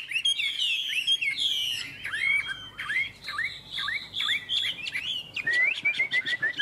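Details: Chinese hwamei, a songbird kept by a bird trader, singing loud varied phrases: rich whistled slurs swooping down and up, some sweeping notes between two and four kilohertz, with bursts of quick repeated figures near the end.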